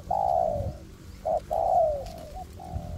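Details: Decoy spotted dove calling in a forest to lure wild doves: a drawn-out descending coo, a brief clipped note, then another long falling coo and a softer trailing note, over low rumbling noise.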